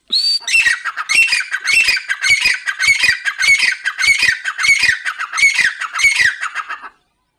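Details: A female grey francolin (Francolinus pondicerianus, dakhni teetar) calls a harsh, high squawking phrase about twice a second for seven seconds, loud and close with no other sounds.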